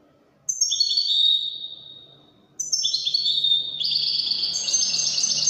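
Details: Widani-style goldfinch song with two bursts: a descending tinkling trill, quiet pause, then a longer busy stream of high chirps and liquid twitters.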